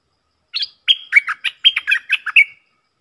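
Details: Stripe-throated bulbul decoy song: one lively phrase of about ten quick, bubbly warbled notes, rising and falling, delivered in roughly two seconds against a quiet background.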